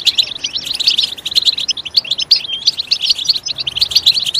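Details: European goldfinch song, used to excite goldfinches into singing; quick repeated tinkling notes and short twittered phrases follow one another rhythmically, several per second.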